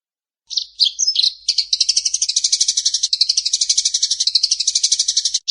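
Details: Eurasian tree sparrow fighting call: a few separate high chirps, then a long, fast, buzzy chatter of harsh notes repeated about eight times a second, steady and unbroken to the end.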